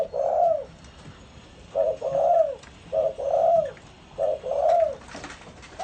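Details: Spotted dove singing in the pha kim voice style, a run of soft low coos, each phrase a short note followed by a longer down-curving one, repeated about every 1.5 seconds against a faint background hiss.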